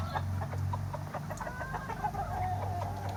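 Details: Summer chickens and roosters, several birds clucking in quick uneven bursts with a few longer tonal notes, above a loud low hum.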